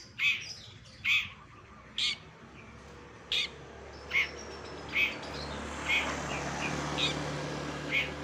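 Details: Bird from a sound compilation for training contest shrikes, repeating a short high ringing note roughly every second, with faint hiss behind.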